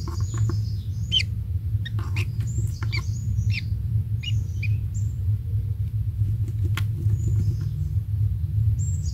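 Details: Newly hatched kingfisher chick, one young at the nest, being fed insects by its parent; short sharp upslurred chirps come in quick irregular bursts, with thin high whistles above and a steady low rumble underneath.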